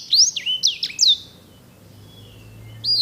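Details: Edel/herda sanger canary, a singer with beautiful rolling song, gives a short burst of loud clear whistles with deep dips and sharp rises, then falls silent with a faint low hum before one final high note.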